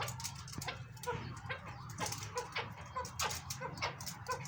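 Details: Captive chukar partridges, a big-sized breeding pair kept in a farm setting, giving short harmonic clucking notes repeated irregularly over noisy background chatter and clicks.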